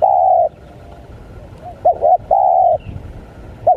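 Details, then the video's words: Wild spotted dove lure call in the 'menekan' style: a long level coo, a pause, then two quick rounded notes and another drawn-out coo, a further short note closing. "Pikat Tekukur,Menekan, Tekukur Liar"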